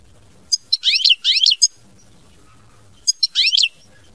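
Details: ['European goldfinch singing in the mama binette song style: two short bursts of high, fast, tinkling twitters with sliding notes, a pause, then one more twittering phrase.']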